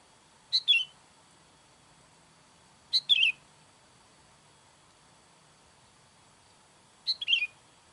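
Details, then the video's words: Calls of a sooty-headed bulbul used to summon wild bulbuls, three clear phrases spaced unevenly, each a bright high chirp running into a lower slurred note, over soft hiss. "SUARA KUTILANG MANGGIL KUTILANG LIAR"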